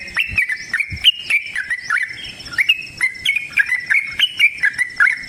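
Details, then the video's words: A yellow-vented bulbul's extended combative song, used to make other birds sing back: brisk whistled phrases that slide and step in pitch, repeated quickly and continuously. "TRUCUKAN GACOR TARUNG ROPEL PANJANG"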